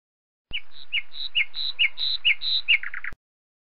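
Northern lapwing gives a quick run of high, thin whistles alternating with wheezy down-slurred notes, about six pairs in under three seconds, ending in lower notes.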